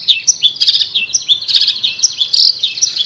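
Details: Long-tailed shrike, described as a fighter, giving a continuous high twittering of quick slurred chirps and short whistled notes, jumbled and uneven in rhythm.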